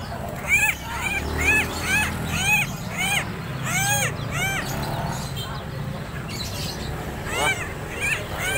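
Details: Tame, vocal Helmeted Friarbird from Lombok, just after bathing, gives loud, nasal, arched notes, about two per second, pauses briefly, then resumes over a low rumble.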